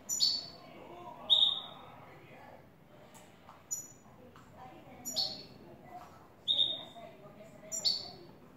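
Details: European goldfinch, a new bird, giving clean "el tres vueltas" style song: bright high whistles gliding downward in short pairs, repeated several times, with murmured conversation beneath.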